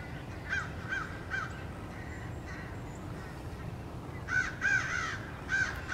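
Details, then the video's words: A crowd of American crows harassing a male bald eagle near his nest, 30 March 2016. Loud, harsh caws come in quick bursts of three or four, with a quieter stretch between them. "Crows attack"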